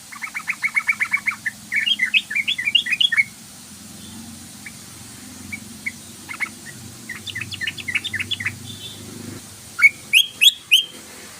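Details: Trucukan, the yellow-vented bulbul, in a lure recording meant to make the bird sing quickly: rapid runs of bubbly, chirping notes, then scattered twitters and a final burst of loud, squeaky upslurred chirps.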